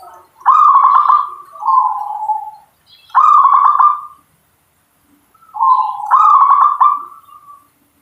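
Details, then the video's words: Zebra dove of local type repeating its song: rolling trilled bursts alternating with lower smooth coos, in three phrase groups with short silences between. "Suara perkutut lokal"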